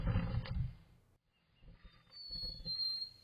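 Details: In spring, a male Black-capped Chickadee outside the nest box gives a clear, high fee-bee whistle that drops slightly in pitch, early morning, to rouse the female inside; low rumbling and bumping come first.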